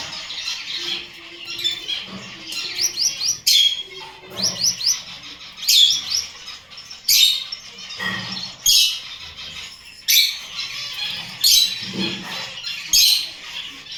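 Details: Kept Gouldian finch giving short high chirps and quick rising whistled sweeps in bursts about every one to two seconds, with faint low rustling between bursts.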